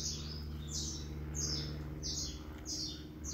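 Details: High, downward-slurred chirps of a saffron finch, repeated about every half second, partly masked by a loud, steady low hum and background noise.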